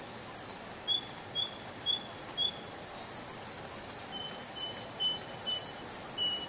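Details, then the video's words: Canary singing in a spring forest: a series of short, high whistled notes and chirps, about two or three a second, shifting between higher and slightly lower pitches. Soft background hiss. "Пение канарейки, канарейка поет в весеннем лесу"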